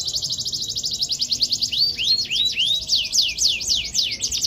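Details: Canary in a gacor, fluent singing style with rich cengkok song variations: a fast, high rolling trill of rapid repeated notes, broken by sweeping up-and-down whistled slurs, about three notes per second, against a quiet background.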